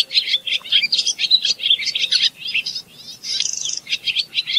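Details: Continuous song of a barn swallow: busy, high-pitched chirps and scratchy warbles in quick succession, a short buzzy trill near the end, and no other clear sounds.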